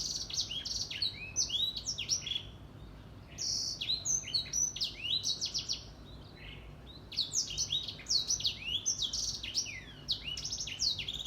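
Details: Grey singing finch (Edel Sanger) singing actively in the morning: long, fast runs of high twittering and trilled notes mixed with sliding whistles, separated by a few short pauses, against faint steady background hum.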